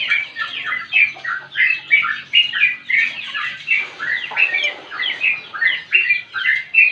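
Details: Long, energetic sooty-headed bulbul song meant to spur other birds into singing and serve as a tutor: dense stream of chirpy, liquid whistled phrases, each swooping up and down, following one another every half second.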